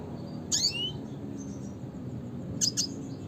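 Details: Red siskin utters a harsh buzzy call sweeping downward, then after a pause a quick pair of sharp high chips; low steady background hum underneath.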